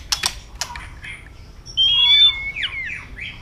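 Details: Fighting song of a white-rumped shama: sharp clicks open, then a long clear whistled note followed by quick descending slurred notes.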